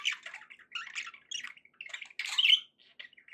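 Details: Happy budgerigars trade short scratchy chirps and squeaks, building to a louder rasping squawk with a thin whistled tone near the end.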